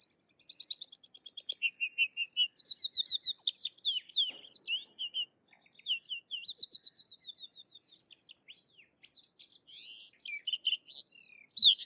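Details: Sykes's lark in an extended varied song: a rapid pulsed trill, lower buzzy notes, then flowing slurred whistles and sharp chirping phrases over nearly twelve seconds.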